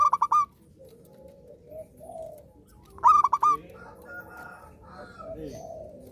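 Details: Zebra dove in full song, each phrase a fast run of clipped cooing notes closed by a held note, two phrases roughly three seconds apart over faint, lower background cooing.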